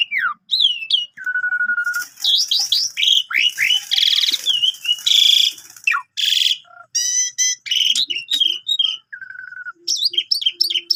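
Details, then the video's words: Continuous varied Javan pied starling song filled with imitated phrases, a canary tutor recording: flat whistles, dense harsh buzzing, swooping slurs, stacked chirp series, and short low notes near the end. "Jalak Suren Tio Gacor Isian Full Cocok Buat Masteran Burung Kenari"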